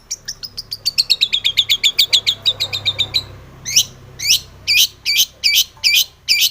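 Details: Long-tailed shrike song full of varied fill-in phrases, used as a lure to get other shrikes singing: a fast series of high descending chirps, then slower, louder buzzy notes repeated about twice a second.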